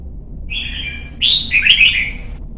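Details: Red-whiskered bulbul song used to train young birds and spur competition singing: a sustained whistled note, then a louder burst of warbled, slurred phrases sweeping between high and mid pitch; steady low hum underneath.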